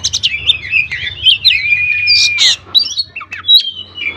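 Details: Oriental magpie-robin in vigorous song serving as a lure for other magpie-robins; opening burst of chirps, then a long smooth whistle sliding downward, followed by scattered bright notes and a held high whistle, faint hum below.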